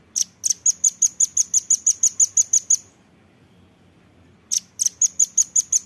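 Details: Velvet-fronted nuthatch in a songbird training recording: a long, fast string of about fifteen sharp, high-pitched chits, a pause of nearly two seconds, then another rapid run of the same notes.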